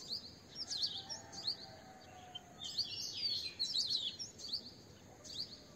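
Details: Asian green bee-eater calls: clusters of thin high trills and chirps in bursts, separated by brief pauses, with a soft low whistle heard faintly underneath.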